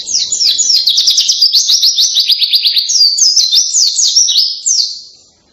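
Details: White-eye (pleci) singing a loud, canary-like song: a dense, rapid run of high, sharply downslurred chirps and trills, nearly continuous for about five seconds before fading out.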